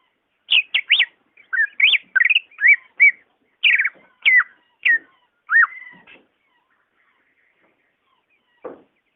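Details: Greater green leafbird song for prompting a caged bird slow to sing: a varied, halting sequence of sharp whistles, downslurs and twisting notes over five seconds, then quiet apart from one soft click near the end.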